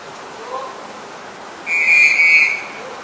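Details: Black-collared starling in Ubon Ratchathani, Thailand, on 10 February 2023: one loud, drawn-out nasal whistle with rich overtones, held for nearly a second, after a faint lower note, over soft steady background hiss.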